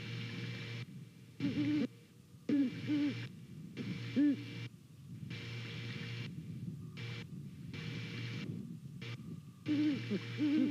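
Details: A Great Horned Owl pair exchanges hoots while checking out an available nest in Savannah one November morning. Short bursts of low hooting are interrupted again and again by cut-outs, leaving brief spaced fragments of the calls.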